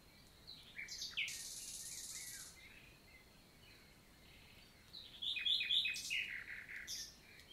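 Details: Morning song of a common nightingale in a countryside forest, Lot, southern France, summer 2023: a sustained buzzy note early on, then a later burst of sharp repeated chirps, with a faint steady hiss between phrases.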